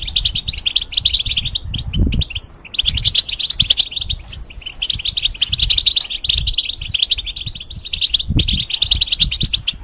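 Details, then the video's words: European goldfinch, a caged bird used for tutoring young goldfinches and hybrids, singing a long twittering song of rapid, dense chirps and trills with short pauses, accompanied by low thumps and knocks. "The Talk And Sounds Of The Goldfinch"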